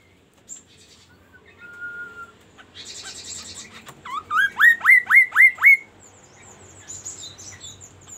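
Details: Magpie-robin: a thin level whistle and a harsh buzzy burst, then six loud, evenly spaced rising notes, followed by softer high chips and twitters.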